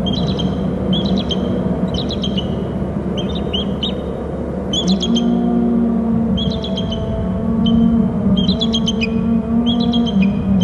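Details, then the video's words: Eagle at its nest territory on Hornby Island, moving to a short branch and trilling repeatedly: bursts of high, thin, chittering notes about once a second over constant loud low rumbling background noise. "eagle to short left branch and lots of trilling"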